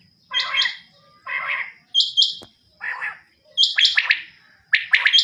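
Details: Calls of a female common quail alternating between lower, harsh buzzy notes and sharper high chirped doublets, irregularly spaced about a second apart, with a faint steady whine in the background.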